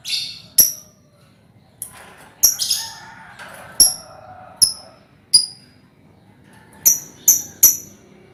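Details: A scatter of short, piercing chirps, about a dozen with uneven spacing, from a colony of hand-reared lovebirds, a sound offered as a lure to get birds trilling; faint murmuring sits underneath.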